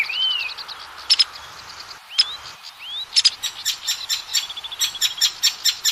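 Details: Lure recording of Oriental magpie-robin song meant to get caged magpie-robins singing; a few short rising whistles separated by pauses, then sharp ticking clicks and rapid repeated chips building toward the end.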